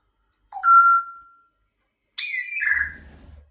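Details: Grey parrot making a clear, steady whistled note held for about a second, a pause, then a harsh descending squawk with a faint low rumble underneath.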